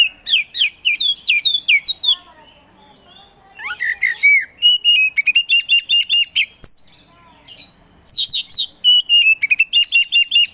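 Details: A lively kacer poci magpie-robin, used to spur quiet birds into song, pours out a long varied song: quick slurred whistles, rapid chattering runs of repeated notes, rising whistles and bright, high-pitched trills.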